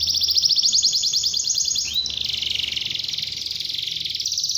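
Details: Canary singing continuously to draw young canaries into song: very fast, dense high trills that shift pitch midway and roll on without a pause.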